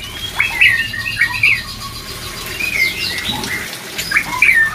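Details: Breeding-drive therapy song of the white-rumped shama: scattered chirps and short slurred whistles, some sharp and rising, with steady background hiss.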